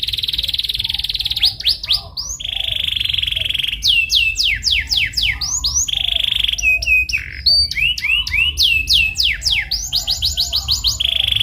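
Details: Canary lure song for encouraging a bird to sing: steady high buzzy rolls broken by quick runs of steep descending whistled notes, the pattern repeated several times throughout.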